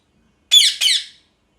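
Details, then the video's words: Two loud, rasping parrot screams back to back, each a grating, harmonic-rich squawk that drops in pitch before breaking off, in quiet surroundings. "Parrot Screaming Sounds"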